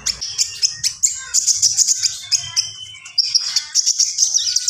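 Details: Common iora singing vigorously, a rapid run of high, clipped chirps repeated several times a second, shifting into a bright whistled stretch, then more quick ticking notes.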